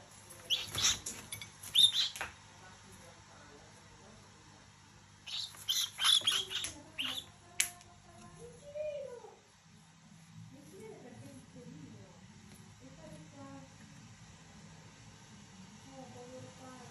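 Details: An angry male pet cockatiel attacking an orange peel gives harsh, raspy hissing screeches in two short outbursts.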